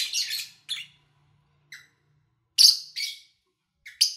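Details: Lovebirds recorded in August 2019 across three days from morning to evening, in a quiet spell with little engine noise or human activity; short, harsh, high chirps come in irregular bursts, some doubled, separated by brief silences.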